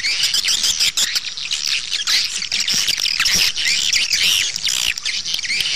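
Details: Crowded swiftlet chatter used as outdoor playback to attract birds to nest houses: shrill squeaks and fast chirping from many birds, loud and continuous with a few short breaks.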